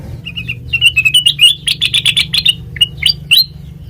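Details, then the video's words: Melodious song of a sooty-headed bulbul, meant as a lure for tutoring other birds: a few spaced chirps that build into a fast run of loud, rich chattering notes, then scattered rising whistles toward the end. "Suara Burung Kutilang Mas Sanget Merdu,COCOK BUAT PANCINGAN MASTERAN"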